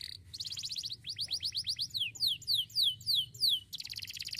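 A Starblue canary sings high and fast: a buzzy roll, rapid rising trills, then a run of quick descending whistled sweeps, closing with another roll over a faint low hum.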